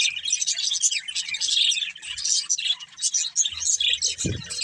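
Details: A breeding pair of budgerigars kept as pets, chattering busily with dense, scratchy high-pitched warbles and chirps running almost without pause, a faint low thud near the end.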